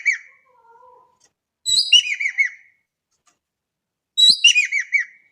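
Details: Javan kingfisher, a lively Indonesian bird, giving two loud bursts of four to five harsh, down-curving notes in quick series, well spaced, after a faint low whistle.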